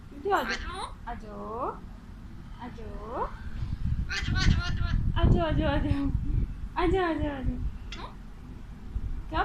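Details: Caged pet Alexandrine parakeet, a male, chattering at his mirror in Urdu/Hindi; loud harmonic phrases with swooping, wavering pitch, bursts of rapid syllables midway, then a falling drawn-out note, over steady low room noise.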